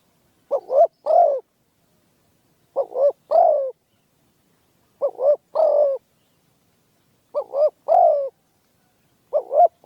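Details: A trained spotted dove kept for dove hunting calls in spaced phrases about every 2.5 seconds. Each is a quick stuttered double note followed by a fuller, falling coo, with silence between.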